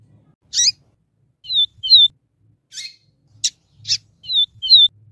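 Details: 'Viviti tel tel' song of the double-collared seedeater, a training recording with a female chirping and calling: buzzy rasping chirps interspersed with repeated pairs of clear high whistles, each whistle preceded by a brief rising note.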